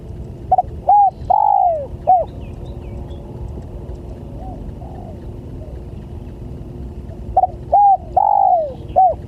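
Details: Spotted dove call used to lure other doves, two phrases several seconds apart, each short notes, a flat coo and a long downward-sliding coo ending in a clipped note, faint distant coos in the gap.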